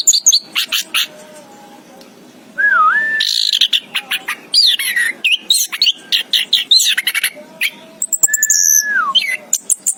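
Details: Varied chirping from an orange-headed thrush (anis kembang): dense high sharp notes, a looping whistled phrase, fast jumbled chattering, and a long falling whistle, almost continuous for ten seconds.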